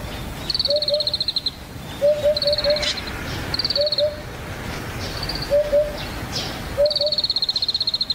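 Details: Low hollow double and triple hoots of a rare vagrant Eurasian Hoopoe at the foot of Yatsugatake, Japan, recur every second or two, alternating with another bird's high, buzzy, fast trills.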